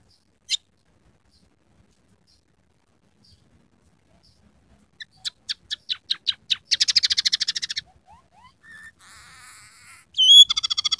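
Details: Singing scaly-breasted munia, called emprit peking or emprit batik, on a training track for songbirds, song mixed with canary, sparrow and red siskin sounds: one sharp note, then clicks quickening into a dense buzzy rattle, soft upslurred whistles, and a final nasal trill.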